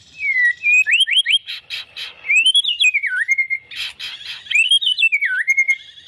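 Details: White-rumped shama described as a champion fighter, singing clear whistled phrases with rising and falling slides and quick upward-swept notes, followed by bursts of sharp high chirps; no other sounds stand out.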